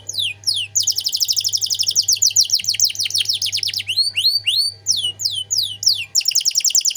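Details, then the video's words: Canary singing 'cengkok mewah' tutor song: a long fast trill of repeated descending notes, then looping whistled sweeps and a final rapid buzzy roll, over a steady low hum. "Masteran Kenari Gacor Cengkok Mewah"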